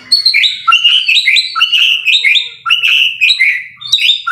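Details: White-rumped shama in vigorous masteran song: a rapid run of varied bright whistled notes, many sharply rising or falling, some rich and liquid, delivered in quick bursts with brief pauses. Clean background.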